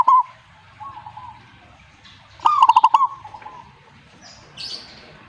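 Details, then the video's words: A zebra dove gives one loud phrase of fast, clipped coo notes ending in a soft trailing coo. Quieter distant cooing comes before and after it. "suhu perkutut jika nyaut Burungmu bagus berarti"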